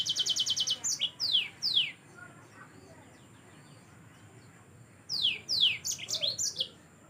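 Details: Energetic yellow-fronted canary song used to tutor other cage birds, opening with a fast even trill, then downward-slurred whistles, a pause, and a second run of slurred notes and short trills.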